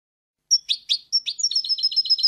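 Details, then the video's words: European goldfinch song, a recording for tutoring young goldfinches: after silence, a few separate high chirps, then a quickening series of bright tinkling notes. "chants des chardonnerets du monde (9) goldfinch songs"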